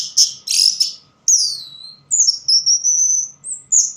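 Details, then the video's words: Orange-headed thrush, singing where light is poor, mixes harsh buzzy notes with a downslurred whistle, then a long, level, very high thin whistle broken by brief upward flicks. "Burung Anis merah bunyi tanpa bayangan"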